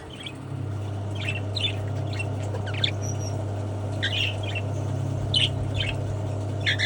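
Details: Cockatiels in an aviary during an autumn rain shower give short, scratchy chirps in scattered bursts over a steady low rumble.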